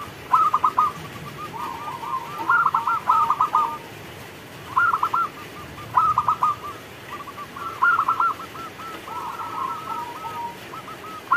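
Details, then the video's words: Local zebra dove singing vigorously as rain falls: several rapid staccato bursts of low coos, each followed by a run of softer rolling notes, with fainter cooing phrases filling the gaps over a steady hiss. "Perkutut lokal gacor Saat Turun Hujan"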